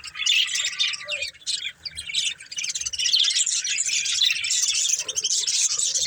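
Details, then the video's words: Breeding pair of budgies giving continuous high, grating chatter with rapid chirps and buzzy trills, louder in the second half. "Beautiful Budgies Chirping Sounds | Love Birds Breeding Pair"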